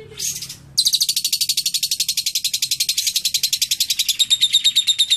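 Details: Lovebird trained with cililin song: a harsh opening burst, then a long, loud, unbroken trill of rapid piercing notes, about eight per second, turning slightly more tonal at the end.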